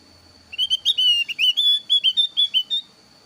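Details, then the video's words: Thin-eyebrow Javan grey-throated white-eye giving a varied lure song meant to make other birds answer: about a dozen clear, rising whistled notes in rapid succession, some drawn out, with a faint steady high tone behind. "PANCINGAN BURUNG OPIOR JAWA ALIS TIPIS SUARA FARIASI"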